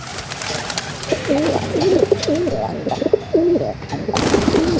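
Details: Pigeons cooing in low, warbling, rolling phrases against a loud, broad background hiss, with a sudden burst of extra noise near the end.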